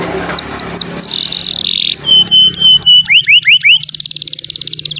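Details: Canary singing as a tutor for young or non-singing canaries: falling whistled sweeps, a sustained rolling tone, a run of pure steady notes with sharp upstrokes, then a fast rhythmic buzzy trill to the end; faint low hum throughout.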